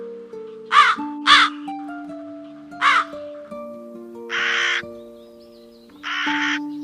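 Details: Five harsh crow calls: three short, rasping caws close together, then two longer, flatter hoarse caws spaced apart, with soft music underneath.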